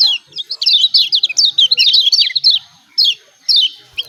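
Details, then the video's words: White-eye from Lombok (kecial kuning), 'ciak ciak' calls meant to provoke silent birds into singing: a fast, tumbling string of high descending chirps for two seconds, followed by three or four spaced single notes. "CIAK CIAK JOSS KECIAL KUNING AMPUH||PANCINGAN KECIAL MALAS BUNYI||"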